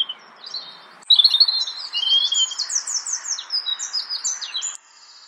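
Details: European robin (Erithacus rubecula) in Brussels, Belgium, in March 2014 sings one high, liquid four-second phrase of thin whistles, fluttering trills and quick descending notes, with faint background hiss.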